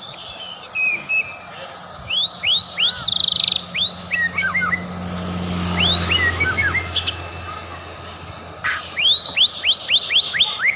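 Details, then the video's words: Shama lure song for provoking rival singing: series of loud upslurred whistles in quick runs, broken by pauses and varied jumbled notes, with a run of rising whistles returning at the end. "OTOMATIS IKUT NaRUNG DAN EMOSI,DENGERIN KICAUAN INI,PANCINGAN MURAI BATU,SUPER GACOR"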